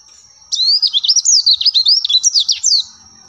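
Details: Oriental white-eye song, played to prompt caged birds to respond: a rapid, very high, thin twittering phrase of zigzagging notes lasting over two seconds, with a steady high whine throughout.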